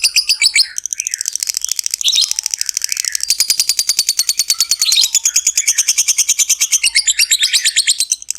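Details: Sustained ngekek trill of a lovebird, played to stimulate other lovebirds: a long, fast, high-pitched rattle of regular pulses, briefly shifting in tone a few times but never stopping.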